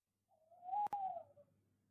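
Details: Tawny owl hooting at night in De Mortel on 20 February 2021 around 22:02: one long, smooth, hollow hoot that swells slightly upward, then fades away slowly over about a second, against quiet low background hum.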